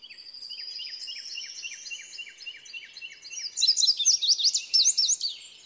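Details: Indigo bunting delivering a long, high, rapid string of thin chirps and slurred notes, starting soft and growing louder and sharper near the end, with a clean, quiet background.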